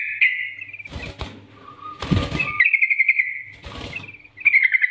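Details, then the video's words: Bulbul 'nggaruda' master song, a yellow-vented bulbul's bubbly chattering phrases broken by several loud bursts of fluttering and rustling noise. "Masteran Trucukan Gacor NGGARUDA ini Rekomendasi untuk pancingan trucukan agar bunyi gacor"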